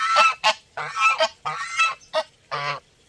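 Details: Loud nasal goose honks heard from near, six harsh calls within three seconds, alternating longer drawn notes with short clipped ones.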